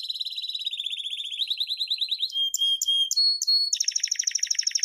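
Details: Canary song played to train young chicks: a fast rolling trill drifting upward, then clipped high whistles with short pure tones, ending in a bright rapid high trill.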